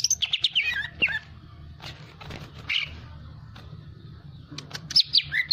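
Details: Hyperactive greater green leafbird singing: sharp, high chirps and short whistled notes in quick bursts at the start and end, with a quieter stretch of scattered ticks between, over a steady low hum.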